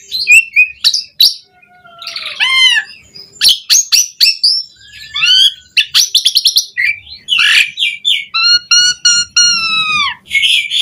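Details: Asian pied starling song for training caged birds, varied and lively: sharp chirps, descending whistled slurs, harsh rattles, and a series of evenly spaced downward-curving whistles near the end.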